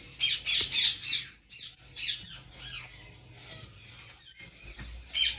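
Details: Ringneck parrots calling at a breeding farm in Pakistan: overlapping shrill, grating squawks come in clusters over a steady low droning hum, fading between bursts and rising again at the end.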